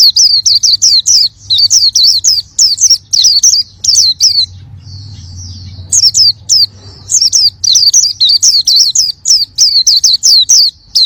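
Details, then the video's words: Oriental white-eye (pleci) singing in lively gacor style: high, thin, wavering chirps packed into rapid bursts of about half a second, separated by short gaps, with a quieter stretch midway and a faint low hum underneath. "Suara burung pleci gacor"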